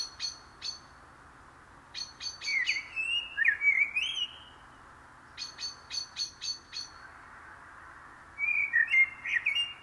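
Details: Common blackbird singing low, fluted warbled phrases, twice in ten seconds, between bursts of sharp, high, evenly repeated notes from another bird.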